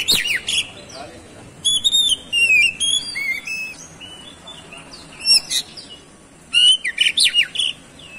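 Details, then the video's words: Kacer, the oriental magpie-robin, singing as a lure to spark other birds: loud phrases of clear stepped whistles mixed with sharp chips and rapid buzzy flourishes, in five or six bursts separated by short gaps. "CUKUP DIPANCING SEBENTAR KACER MANAPUN LANGSUNG ON GACOR"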